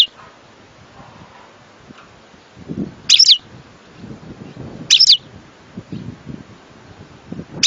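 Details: European goldfinch giving short, sharp high notes about every two seconds, separated by quiet gaps over a low rumbling background.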